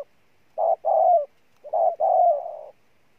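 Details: Spotted dove cooing: a short note followed by a long slightly falling coo, then the same two-part phrase again after a brief pause, in quiet surroundings.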